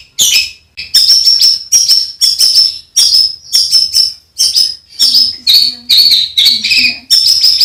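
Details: Songbird singing rough fill-in phrases, used as a master for competition birds: quick, scratchy, chattering notes mixed with short high whistles, running continuously.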